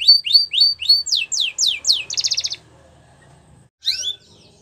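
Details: Canary song used for training young canaries: rapid rising whistled notes repeated about four per second, then a fast buzzy trill, a pause and a short final phrase.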